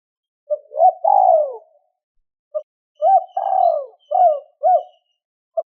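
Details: Spotted dove cooing to lure wild doves in the two-tail-note style. Soft hoots lead to a prolonged falling coo and end in two crisp hoots. The phrase is given twice with a short pause between.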